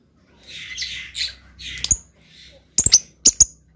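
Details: Lovebird starting with soft, breathy rasping notes, then shifting to sharp, very high squeaks in quick pairs and triplets.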